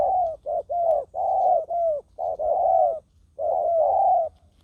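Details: Spotted dove used as a decoy bird to lure wild doves on the ground: a series of mellow, low cooing notes, some short and some drawn out, grouped in runs with brief pauses between them.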